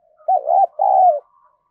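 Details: Fragment of a decoy spotted dove's song: two mellow coos, the first wavering and the second a longer purring note that slides downward. Nothing else is heard.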